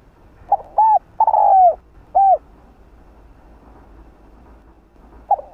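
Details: Spotted dove giving a mellow coo phrase: a short note, a drawn-out falling coo, then a separate shorter coo, followed by silence before another note begins near the end; little background noise.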